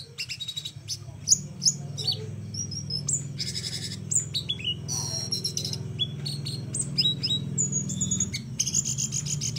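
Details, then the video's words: A small flowerpecker sings a rapid, high, uniquely styled run of thin chirps, sharp ticks and short buzzy trills, packed densely over a steady low hum. "Kecil2 cabe rawit‼️layak dijadikan masteran dengan gaya sangat unik‼️"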